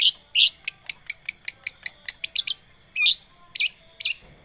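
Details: Lure song of a long-tailed shrike, used to make a quiet bird sing: a rapid series of clipped high ticks about five per second, then a pause and several louder slurred chirps.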